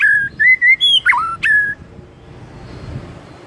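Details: White-rumped shama singing in the morning: six loud, clear whistled notes, mostly level with a few sharp upward and downward sweeps, over about a second and a half, then faint background hiss.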